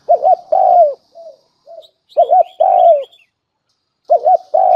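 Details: Spotted dove lure call, three phrases of a rolling double coo and a long downslurred note, separated by soft low murmurs and pauses, with small high chirps from other birds between phrases.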